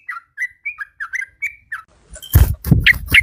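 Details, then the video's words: Yellow-vented bulbul kept as a decoy bird, Malay strain: a string of short, liquid whistled notes, some rising and some falling. Loud rustling and thumping noises break in near the end, with a couple more chirps. "เสียงนกต่อ นกปรอดหน้านวล ถิ่นมาเล"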